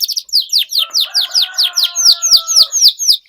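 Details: Canary in full song, meant to prompt silent birds to sing again: a steady series of clear down-slurred whistles, roughly four per second, over a faint low hum.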